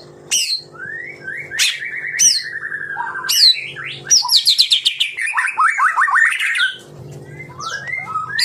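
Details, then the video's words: White-rumped shama singing in the dense rapid-fire style called tembakan rapat: loud whistled phrases, a long descending slurred series, then a fast run of sharp rising notes, over a steady low hum. "Tembakan Rapat Burung Murai Batu"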